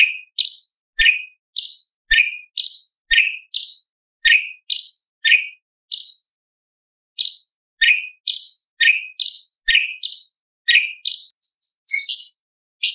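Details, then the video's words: Tutor recording of a Light-vented bulbul singing with borrowed lovebird, parakeet, prinia and pancawarna material: a brisk, steady run of bright chirps, high and low notes alternating roughly once a second, briefly pausing midway before resuming. "CUCAK CUNGKOK ISTIMEWA - TEMBAKAN ISTIMEWA ISIAN LOVBIRD PARKIT CIBLEK PANCAWARNA"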